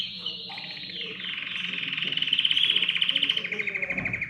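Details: Canary song building from a soft start into a loud, fast pulsing trill with rapidly repeated notes, high and clear.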